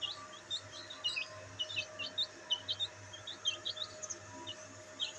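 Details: Black bantam chicks enjoying sunlight, giving many short high chirps, some in quick pairs, scattered irregularly through the clip over a low steady background hum.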